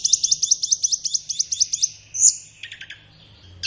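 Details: Flowerpecker master song for training caged birds, morning or afternoon: a fast, even series of about a dozen high, sharp chip notes, a thin squeaky whistle, then a lower buzzy stutter.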